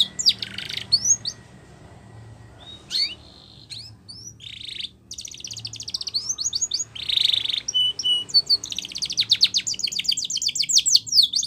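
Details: Spanish Timbrado canary song for training, starting sparse with scattered sharp chirps and short buzzy rolls and quiet gaps, then building into fast metallic trills and rapid repeated notes toward the end.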